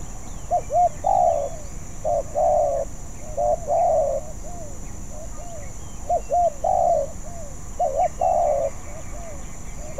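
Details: Young spotted dove still practising its song and not yet skilled: repeated phrases of two or three quick mellow coos followed by a longer, rolling purred note, with faint chirps of other small birds and steady background hiss.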